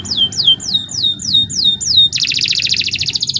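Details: Nusantara canary singing loudly: seven evenly spaced descending whistled notes about three per second, then a dense, rapid buzzing trill.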